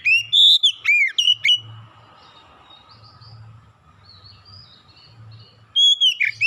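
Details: Oriental magpie-robin lure song for getting birds to sing: a short volley of loud whistled and upslurred notes, several seconds of quiet rustle and faint whistles, then a closing burst of clear phrases.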